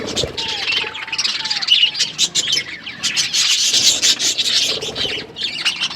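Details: Budgies eating food and chirping; continuous high scratchy warbling and chatter from several birds, with brief louder bursts throughout.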